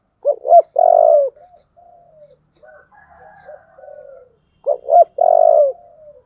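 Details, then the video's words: Spotted dove in the 'giọng thổ' voice, calling to rouse a fight. Two phrases about four seconds apart, each two quick hooked notes and a long buzzy coo, with soft trailing coos in between. "cu gáy giọng thổ/ cu gáy thúc đấu"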